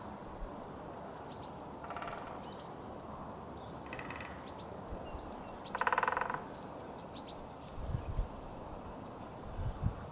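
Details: In a winter woodpecker forest on 27 February 2022, surround-mic recording: faint distant drum rolls at about two and four seconds, then a louder rapid roll near six seconds, with high chirping birds over low rumble.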